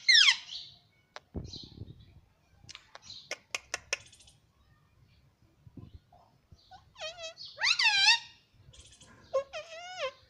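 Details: Indoor pet green ringneck parrot, claimed to say "mummy papa": an opening shrill note, soft rustling and tapping, then a cluster of loud wavering harmonic syllables and a final rising call.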